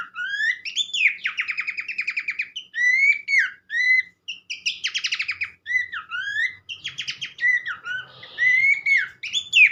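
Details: Horsfield's babbler (pelanduk semak) singing vigorously to draw song from other birds. Long stretches of quick stuttering trills alternate with rising and falling whistled notes, with faint low noise in the middle part.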